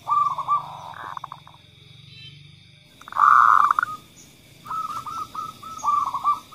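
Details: Local zebra dove hen calling actively, followed by a kerot-type call, meant to spur other doves to call; burry trilled cooing phrases split by pauses, one loud sustained roll midway, over a low background drone.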